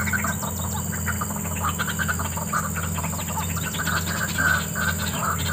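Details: A wild white-breasted waterhen in the morning, in scrubland amid a developing area, gives rapid, harsh, croaking 'wak-wak' notes in a steady stream over a low, constant hum.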